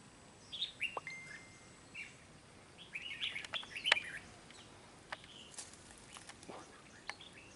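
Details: Red-whiskered bulbul fighting a rival at a trap gives short, scattered chirpy phrases of rapid slurred notes, louder near the middle, broken by sharp knocks and clicks from the trap area.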